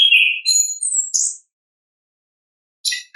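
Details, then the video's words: Orange-headed thrush singing in the ngeplong style, a natural recording: a burst of high, varied whistled notes and sweeping slurs lasting over a second, then silence and one short note near the end. No other sounds. "ANIS KEMBANG GACOR, pancingan suara asli alam anis kembang"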